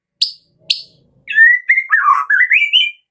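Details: White-rumped shama (Medan type) song used as a morning lure to make captive birds sing: two short harsh high chips, then a run of clear whistled notes that rise and fall, ending higher.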